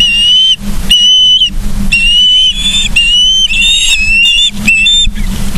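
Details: From a live camera on a Charlo, Montana osprey nest, 31 August 2023 at 09:36: a string of prolonged, clear whistles, some level and some rising, given in quick succession against a background hum.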